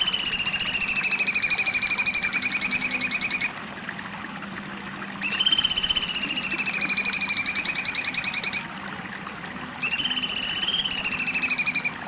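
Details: Sharp besetan of a cucak cungkok: fast, rattling, high-pitched trills in three long bursts, some rising slightly toward their ends, broken by brief near-silent gaps over a low hiss.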